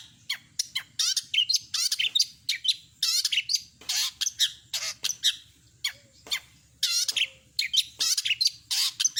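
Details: Long-tailed shrike singing a full medley of imitated calls. A fast, dense, varied stream of scratchy chatters, rasps and sharp high notes barely pauses, over a faint low hum.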